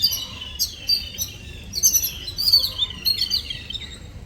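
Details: Excited high chirping from little birds at morning, short sharp notes and trills crowding together in a steady twittering stream.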